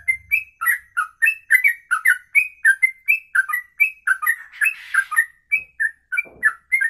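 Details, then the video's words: Long single-breath ropelan song, over two minutes, from a bird: fast repeated whistled chips, some slurred downward, about three per second, briefly overlaid by a short noisy rustle. "Inilah Ropelan Sekali Nafas 2 menit lebih"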